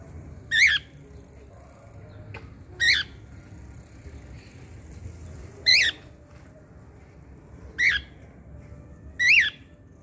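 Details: Cockatiel kept as a pet, calling because it wants to play with the children: sharp, raspy screeches repeated roughly every two to three seconds, five loud calls in ten seconds against faint indoor hum.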